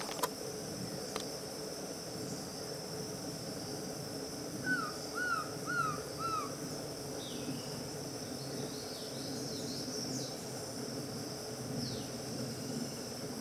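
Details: Black-throated trogon at Itapiranga giving four soft, downslurred whistled notes in an even series midway through, over a steady insect drone, with faint high chirps from other birds afterward.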